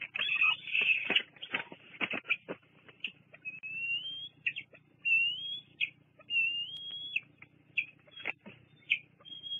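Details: Young bald eagle wandering near the nest at Fraser Point, July 2022, recorded by live cam; a loud burst of squealing chatter opens, followed by spaced thin rising whistles repeated every second or so over faint hum.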